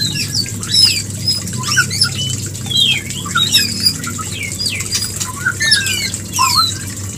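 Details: White-rumped shama mating call played as a breeding lure: busy, varied high whistles and rapid slurred notes, some sharp upslurs, with a constant low hum beneath.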